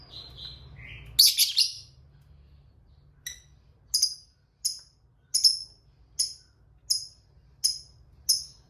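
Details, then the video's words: Lovebird fighter on a lure track for drawing replies from silent lovebirds; a brief whistled phrase and a harsh buzzy burst lead into evenly spaced sharp chirps, one about every 0.7 seconds. "Lovebird Diam Pasti Nyaut Ikut Bunyi Ngekek Suara Pancingan Burung Lovebird Fighter Ngekek Panjang"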